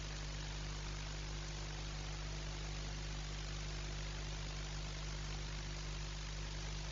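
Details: Constant idling engine hum with low droning tones and steady background noise, and no animal calls.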